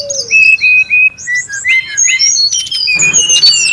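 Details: Wild brown-chested jungle flycatcher calling noisily, recorded as a lure and master sound: a run of short, clear whistled notes, several on one pitch, then lower and rising ones, followed by denser overlapping chirps and whistles from other birds.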